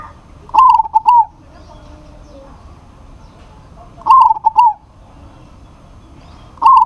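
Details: Zebra dove of local stock calling to a rival: repeated bubbling, trilled coo phrases every three and a half seconds, each a quick stutter of clicky notes, over a quiet background.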